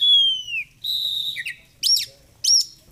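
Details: Oriental magpie-robin singing a clear falling whistle, a buzzy sustained note, then two sharp rising-and-falling chirps, low hum in the background.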